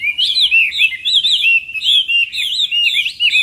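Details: Morning voice-training song of a Chinese hwamei in competition-style singing: a continuous run of clear, rich whistles, looping up and down in quick, varied phrases with no pauses.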